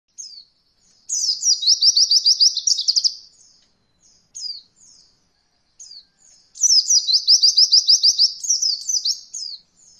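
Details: Oriental white-eye tutor recording for beginner birds learning the roll voll style: two long rapid rolling trills of sharp high notes, each about two seconds, separated by short downslurred chips, very high-pitched and clean.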